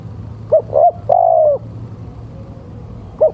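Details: Male spotted dove giving its lure call: two short coos and a long, slightly falling coo, then a quiet pause before the first note of the next phrase, over a low steady hum.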